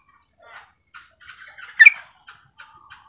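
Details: A female Yellow-vented Bulbul calling to a male gives a quick run of chattery, bubbling notes in bursts, peaking in a sharper squeaky flourish midway, with a thin steady hiss behind.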